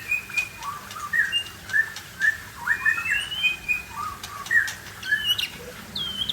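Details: White-rumped shama singing in a showy style, a varied run of clear whistled notes, some rising and some falling, delivered in irregular bursts against a steady hiss.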